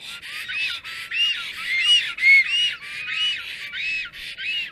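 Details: Black stork pair at the nest on 30 April 2022 around 12:35, greeting amid a scuffle with a strange female; steady train of wheezy, down-curving whistled notes, about two per second, a few louder and clearer near the middle.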